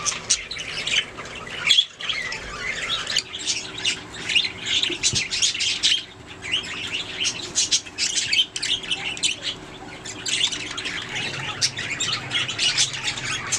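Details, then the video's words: Budgies singing and chirping, long bouts of rapid high twittering and squawky notes from several birds, with brief pauses and faint rustling. "Budgies singing making sounds chirping"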